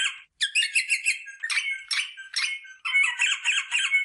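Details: Rosella vocalising to prompt mating: dense, harsh, rapid chattering phrases with a few brief squeaky notes between them.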